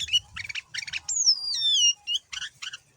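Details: Male sooty-headed bulbul, singing persistently with a rich learned repertoire, played as a lure for other bulbuls: rapid chattery notes, then a long, high, smoothly descending whistle lasting nearly a second, followed by more short chirps.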